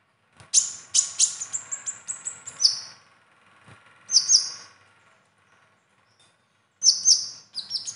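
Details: Konin (kolibri ninja) performing rich imitated material prized by competition judges: rapid, very high twittering notes tumbling together, a quiet gap, then more piercing sparkling bursts.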